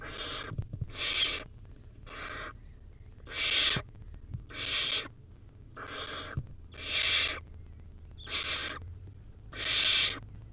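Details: Wild barn owl owlet at a nest, feeding on a rodent, gives harsh broadband hissing screeches, about nine bursts each under a second long, spaced irregularly, with faint low hum beneath.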